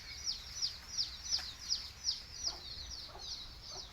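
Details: A chick of a native Tamil chicken breed peeps loudly and evenly, about three times a second, each note a high downward slide, while faint clucks from the mother hen calling it to eat sound underneath.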